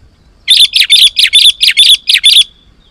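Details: Sooty-headed bulbul singing loudly for luring wild birds: a steady run of about nine clear, ringing chirps, evenly paced at roughly four or five per second, ending abruptly into quiet.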